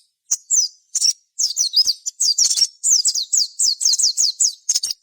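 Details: Sogon in full gacor song, used as a lure to set other sogon singing, in ngalas and nyaut style: a rapid string of very high, sharp descending chirps and slurred notes, tumbling almost without pause.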